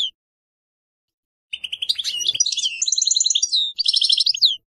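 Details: European goldfinch song: after a silence, a flowing run of high twitters, buzzy trills and rapid repeated notes, closing with a sharp rising slur.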